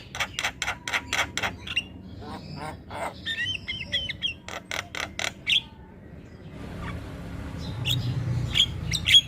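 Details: Javan myna singing hard, other birds said to follow suit: fast rhythmic clicking bursts and a short chattering rattle of whistles, then fading to quieter background with a few faint high notes.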